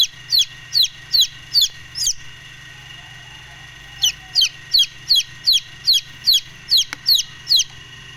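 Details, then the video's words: Brooding Golden Misri chicks peep loudly and insistently, a fast run of piercing downward-sliding notes about every half second, a pause, then another long regular series, over a constant low background hum. "Golden Misri Chicks Brooding | Sound effects Chicks"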